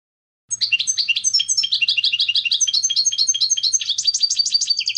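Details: European goldfinch singing a fast, varied twitter of liquid chirps and buzzy trills, notes tumbling at different pitches without pause.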